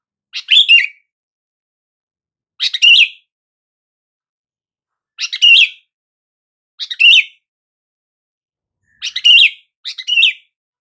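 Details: Sooty-headed bulbul call, used to make silent bulbuls respond: short bright chirped phrases, each a quick double note, repeated roughly every two seconds, six bursts in a clean recording with silence between and no other sounds.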